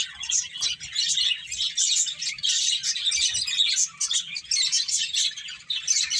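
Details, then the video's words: Finches playing, giving dense, overlapping high chirps and tweets in continuous bursts, several birds calling at once with barely a pause. "Beautiful Birds Chirping Sounds | Cute Finches Playing"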